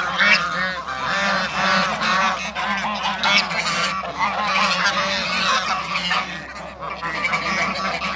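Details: African and Toulouse geese on a farm, meeting another animal, honk in a loud, nonstop, overlapping chorus of nasal, brassy calls from many birds at once. A low, steady hum runs underneath.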